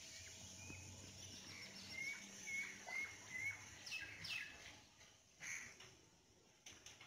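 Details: Swimming chicks give a run of short, clear rising peeps, about five in quick succession, then scattered fainter peeps, all over a steady background hiss and splashy noise.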